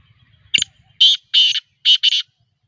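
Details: Black francolin, called black partridge, giving a grating call: five harsh, buzzy bursts in quick succession. A short note comes first, then longer rasping notes, the last two closely paired, with a brief low thump at the start and near silence between.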